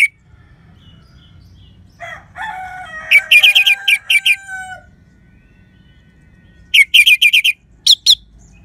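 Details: Lively orange-headed thrush song with a crystal tone, meant to prompt sluggish or stalled birds into singing: quick high ringing note clusters in two bursts, one overlapping a lower drawn-out wavering sound, with quiet gaps and low background hum.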